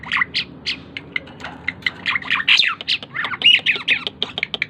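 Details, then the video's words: Lively Asian pied starling song, a varied jumble of harsh chattering notes, squeaks and short clear whistles delivered in quick bursts, loud and close. "burung jalak keling gacor dor"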